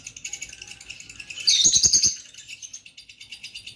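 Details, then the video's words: Two pet lovebirds chirping: a quick rhythmic train of high twitters interrupted by a loud, rasping burst of chatter, then the fast, steady chirping continues softer. "Relaxing Chirp Sounds🤗 | Lovebird sounds"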